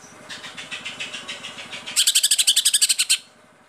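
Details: A kept, competition-singing Greater Green Leafbird sings a fast run of high, sharp notes, softer chatter first, then a loud burst of about ten notes per second; faint engine hum beneath.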